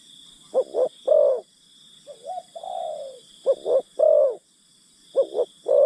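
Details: A spotted dove kept as a decoy for luring wild birds gives low cooing phrases: paired clipped notes into a rounded coo, then a long descending croon, repeated three times against a continuous high buzzing drone.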